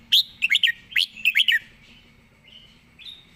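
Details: Red-whiskered bulbul in a fast, rapid-fire song style: quick bubbly clusters of liquid whistled notes in three bursts, then two faint thin whistles after a pause.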